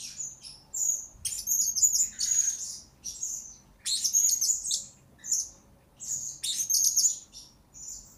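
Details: Blue-crowned hanging parrot recorded to train lure birds, with shrill high-pitched chattering phrases repeated about every two to three seconds, each a cluster of squeaky whistled notes.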